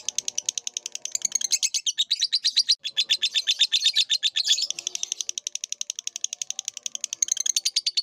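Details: Caged lovebird training recording: an unbroken stream of shrill, rasping chirps at roughly four per second, rising and falling in pitch with a brief gap near the middle.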